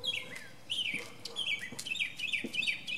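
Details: Singing from the top of a pine tree, a northern mockingbird delivers a rapid jumble of sweeping, slurred whistles and chirps, its notes tumbling up and down with hardly a pause.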